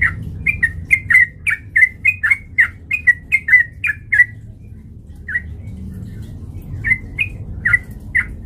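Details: Sooty-headed bulbul male singing as a lure to provoke fighting: a fast string of clear, bubbly whistled notes for four seconds, a pause, then a few scattered notes, over soft low hum.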